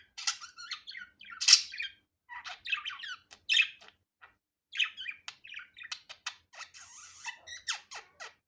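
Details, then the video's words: Budgerigar, natural unedited sound: loud sharp squawks early on, then a long run of quick, clicking, buzzy chirps and scratchy warbling notes in a quiet room. "Muhabbet Kuşu Doğal Sesi"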